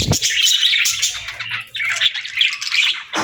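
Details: Budgerigars at feeding time keep up a lively warbling chatter of quick, scratchy chirps and short whistles, opening and closing with low thumps.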